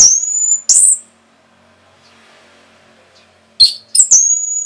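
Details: Sparse high whistles from an Orange-headed thrush in a provoking rapid-song recording: a couple of sharp, thin notes, a long quiet gap with faint background hum, then more high whistled notes at the end.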